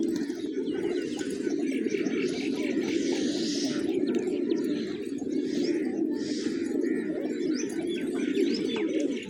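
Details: Village pigeons feeding on fresh grain on a peaceful morning, a dense, continuous low murmur of cooing from the flock with scattered faint higher chirps and ticks above it.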